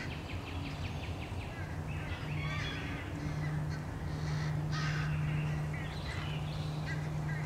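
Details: A crowd of American crows mobs a male bald eagle near its nest, with scratchy caws and harsh bursts rising to a loud cluster midway, over a droning low hum.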